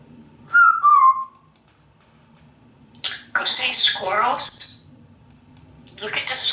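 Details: A pet African grey parrot, hanging out in an office with its owner and practising words and imitations, gives a clear falling whistle, then after a pause bursts into harsh, raspy squawks and chatter, ending in a scratchy outburst.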